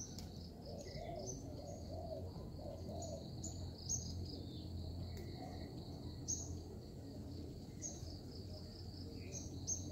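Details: Zebra dove kept as a trapping lure gives a brief string of soft, rounded coos early on, then falls quiet; a continuous high whine and scattered thin chirps fill the background.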